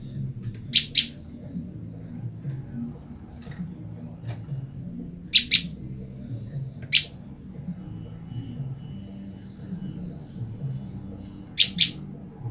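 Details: Olive-backed tailorbird, a female calling constantly to its separated mate: paired sharp high chips, then a single note, then another pair, irregularly spaced over twelve seconds, against low hum.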